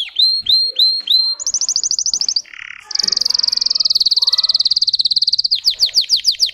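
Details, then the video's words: Russian canary, bred for singing, strings together rising whistled notes, a bright trill, a brief lower buzzy rattle, then a long rolling high trill and falling chips. "Red trees Canary Singing"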